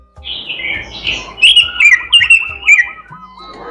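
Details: Melodious, imitation-filled robin song: soft warbling, then a loud run of rhythmic slurred high notes with sharp chips, trailing into a row of softer lower repeated notes.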